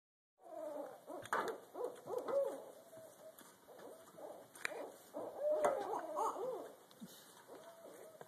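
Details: Two barred owls, called in and gathered in trees overhead, trade wild, overlapping hoots and cackling, monkey-like whoops in a raucous back-and-forth duet, part of their mating call.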